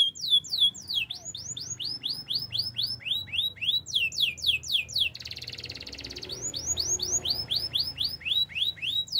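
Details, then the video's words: Canary singing for training: continuous series of sharp, curving whistled notes at a brisk pace, briefly replaced by a dense buzzy trill before the whistles resume. "The most powerful canary training song"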